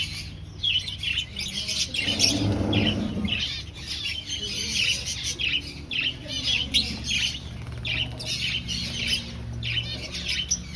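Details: Colony of aviary finches in breeding setup, searching for nests; dense overlapping high chirps from several birds throughout, with a brief low rustle or thump early on.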